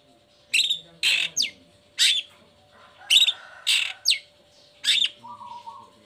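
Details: Long-tailed shrike singing strongly as a lure for moulting or sluggish shrikes. Loud harsh rasps and quick sweeping notes lead to a low buzzy trill, over a faint steady hum.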